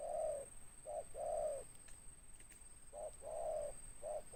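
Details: Local tekukur, or spotted dove, of the big raspy 'ngeruk' style with 'tindan': soft paired coos, a clipped note followed by a drawn-out one, twice, amid background hiss, a few faint clicks and a steady high tone.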